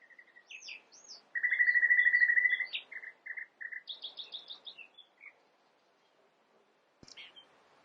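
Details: Common nightingale song, described as a medley of other birds' voices: high looping whistles, a long loud even trill, short chopped notes, a high jingling run, then near silence broken by a sharp click and a final squeaky note.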